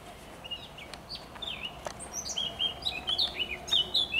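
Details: Eurasian blackcap singing on 27 May 2023, with a cuckoo calling at the same time: quiet scattered notes that build into a rich, fast warble of high whistled and chattering phrases, growing louder toward the end.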